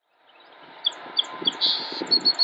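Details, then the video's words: Song Sparrow (Melospiza melodia) song, Cabarrus County, North Carolina, USA, 28 March 2016: a few bright, separate notes, then a short buzzy phrase and a quick run of chips, over a low, distant rumble. "Song Sparrow (Melospiza melodia) Song"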